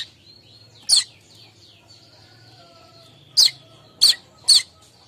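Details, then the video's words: Morning chattering of a streaked weaver, used as a lure call for weavers: one bright high chirp, a pause with faint thin notes, then three quick chirps close together. "Manyar kembang Suara kemrecek untuk pancingan/pikat burung Manyar"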